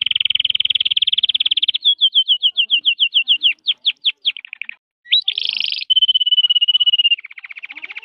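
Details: Canary singing on 18 January: a rapid rolling trill, then a slower series of repeated chirps that speed up, a brief pause, a buzzy burst, and a steady whistled note closing with another fast trill.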